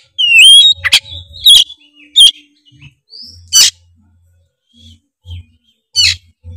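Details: Oriental magpie-robin (kacer) singing to provoke other birds: an opening whistled phrase, then spaced sharp harsh bursts with quiet gaps and a faint low hum.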